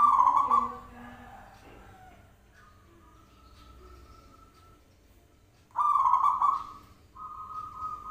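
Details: Zebra dove lure call: a rolling coo opens the recording and a second follows about five seconds later. A faint steady tone runs between the calls and returns at the end.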